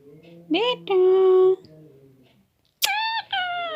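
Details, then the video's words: Indoor Hindi speech from a nine-month-old pet parrot: a rising voiced syllable and a long held nasal tone, a pause, then two harsh, rich, slightly falling syllables. "My Parrot Radhe"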